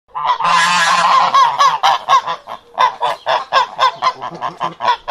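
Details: Domestic duck (Anas platyrhynchos domesticus), quack.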